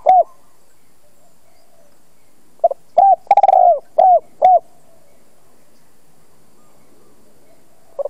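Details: Spotted dove calling as a decoy to attract wild doves: one isolated coo, then a full phrase of mellow coos with a quick rolling stutter and two closing coos, followed by quiet.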